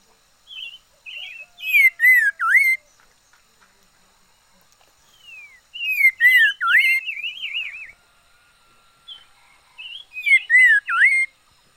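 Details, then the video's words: Decoy red-faced liocichla in song, giving three loud phrases of sweeping, dipping whistles, each led by softer wavering notes and separated by pauses of about three seconds. "Chim mi lửa mồi hót hay vij txwv noog vom yij liab ntseg quaj kho siab kawg li"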